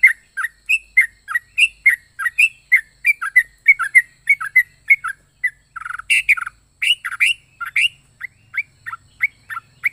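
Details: Yellow-vented bulbul (trucuk) singing a long lively sequence of varied chirps and squeaky notes, steadily repeated, with a louder burst midway.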